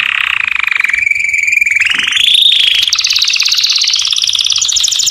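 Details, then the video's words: Canary singing to attract females for mating, delivering continuous rapid rolls that shift from a steady buzzy trill to a higher, rising passage and then a quick, sharp, higher-pitched repeated tour. "The strongest canary twitter to hear and irritate females to mate"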